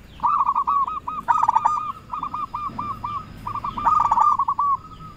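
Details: Local zebra dove (perkutut) in full voice, used as a lure that calls rivals and sets other doves answering; runs of short, mellow cooing notes follow one another almost without a break, with louder overlapping bursts near the start and end.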